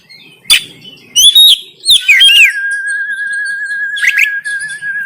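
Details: Oriental magpie-robin giving a fighting song, recorded on an Android phone in Banten: loud harsh rasping bursts, then a long steady wavering whistle held for about three seconds, broken by another rasp.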